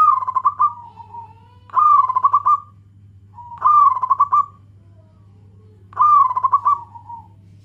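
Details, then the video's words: Local zebra dove calling to companions, male and female answering each other: four loud stuttering coo phrases, each trailing off softly, repeated about every two seconds over a low constant hum. "Perkutut lokal gacor suara BESAR"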